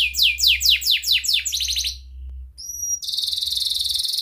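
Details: Canary song played as a lure to get canaries singing: a fast series of high descending sweeps about seven times, then quick trills, a brief pure whistle and a long rapid buzzy roll, over a low steady hum.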